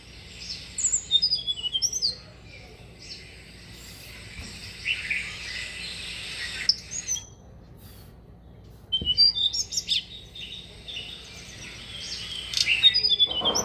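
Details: Tickell's blue flycatcher singing bursts of high, thin, tinkling notes with quick chirps and short trills, separated by brief pauses, over a quiet background, in a factory garden in Pune, India.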